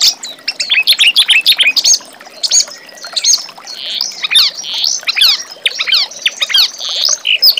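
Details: Reed warbler song used to train young magpie-robins: bursts of rapid chirping and dry ticks separated by brief quieter gaps, with clusters of sharp descending squeaks.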